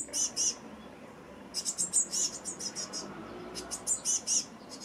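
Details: Eurasian blue tit family at a nest box in Anglet, France, spring 2020, where a pair is raising a brood: tight clusters of very high, thin chirps come in bursts, a brief pause, then several rapid runs of scratchy notes.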